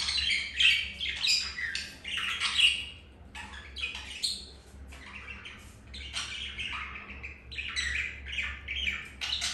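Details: Pet budgies mating, a male with a hen after being rejected by a white-grey female; continuous warbling chatter of scratchy, buzzy notes and squawks with a loud opening stretch, low background hum.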